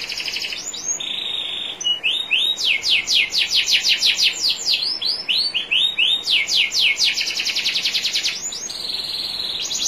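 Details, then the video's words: Canary training song by a national champion bird, with trickling water. Buzzy steady rolls, rising swoops and long runs of rapid repeated strokes alternate through a varied song. "MASTERAN KENARI JUARA NASIONAL NEW 2021 ISIAN SUPER MEWAH"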